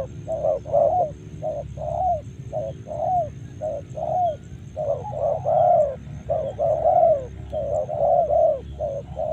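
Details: Spotted dove from Karawang giving low, hollow coos in quick, uneven series, about 45 notes a minute, some notes doubled or slurred together, over a steady low hum and a faint high electronic whine.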